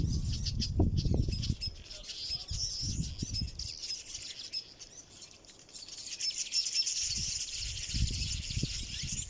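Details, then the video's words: Village weavers nesting in a large colony in a fever tree on the eastern coast of South Africa, where males weave nests; a continuous high, buzzy, sizzling chatter from many birds, broken by intermittent low rumbling bursts of wind or handling noise. "Village weavers, beautiful nests and bird sounds."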